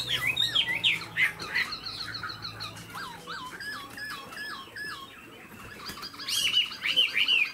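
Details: Chinese hwamei, a tame cage bird with spread tail and eagle-like wing play, delivers a string of looping whistled slurs at mid pitch, with noisy background and a brighter burst near the end.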